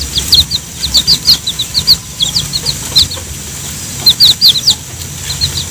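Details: Chicks being fed ripe banana by their mother hen, giving clusters of high, sharp descending peeps with short pauses between bursts.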